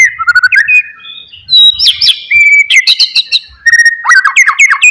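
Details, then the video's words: Oriental magpie-robin singing to encourage a bored, silent bird to respond: varied whistled slides, high clear notes and dense rapid warbled phrases, with faint low thumps. "MURAI BATU BENGONG,, DIEM .//. LANGSUNG RESPON DENGARKAN KICAUAN INI"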